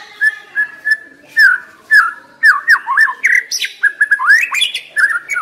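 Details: White-rumped shama decoy bird singing: varied whistled phrases, slurred up and down, repeated at an uneven pace, with sharp high notes in between and a quiet background.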